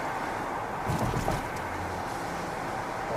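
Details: Low engine rumble and wind noise run throughout, with brief murmured speech in the middle.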